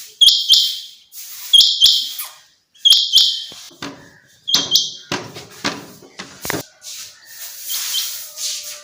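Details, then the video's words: Summer meadow setting with a common quail giving its sharp, high double and triple bursts, repeated roughly every one and a half seconds, then softer clicks and rustling. "Common Quail. bird sounds from summer meadow"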